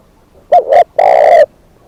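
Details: Decoy spotted dove giving one loud cooing phrase: two short, hoarse coos followed by a long, drawn-out burry coo, all low and mellow, with near silence before and after.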